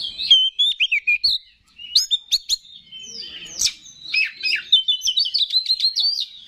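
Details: Oriental magpie-robin song meant to provoke rival males into singing: bright rising and falling whistles, clipped chips and a fast chattering run near the end, loud and clear against a quiet background.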